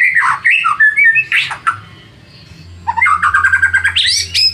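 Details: White-rumped shama singing as a lure to stir rival birds: varied rich whistles rising and falling, a short quiet gap, then quick repeated notes climbing to a high trill.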